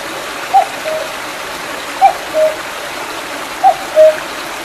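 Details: A Common Cuckoo on a mountain near Mandeok-dong in July 2019, after rain, gives its two-note falling 'cuck-oo' three times, about every one and a half seconds, over a steady rushing stream.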